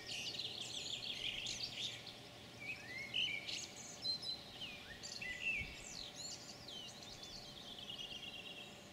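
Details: European pied flycatcher (Ficedula hypoleuca) recorded on 9 June 2019, edited from a roughly 30-minute recording: bright, varied high phrases of sweet whistles and sliding notes, with other faint bird calls in the background.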